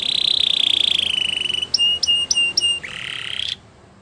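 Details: Belgian canary song with a steady high rolling trill, then a few separate clipped whistled notes, ending in a lower buzzy trill that cuts off abruptly.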